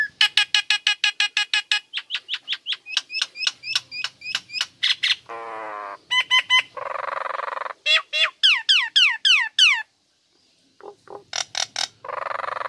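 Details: Female Nias hill myna kept as a pet in full chatter: rapid series of loud harmonic notes, sweeping upward whistles and harsh buzzy phrases, with a brief pause before more sharp calls.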